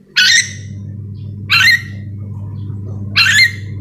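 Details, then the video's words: Sulawesi's endemic yellow-and-green lorikeet (nuri dora) calling with three rough, noisy squawks at intervals of about one and a half seconds, backed by a low continuous hum. "Suara asli nuri dora memanggil"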